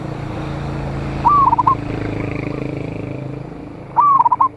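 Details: Local Indonesian zebra dove, a loud-voiced bird singing to call rivals, recorded 26/1/25: two short cooing phrases, each a rising note then quick stuttered notes, about three seconds apart, over steady low rumble like passing traffic.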